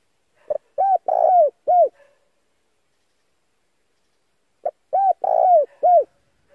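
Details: Male spotted dove call played to lure wild doves, two identical four-note cooing phrases about four seconds apart, each a brief pip, an arched coo, a longer falling coo and a final arched coo, silence between.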